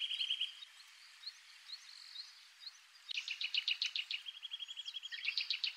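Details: Eurasian nuthatch singing in Japan: a clear whistled note opens, then after a quieter stretch comes a fast run of sharp, evenly spaced notes that turns into a rapid whistled series, with faint chirps of other birds behind.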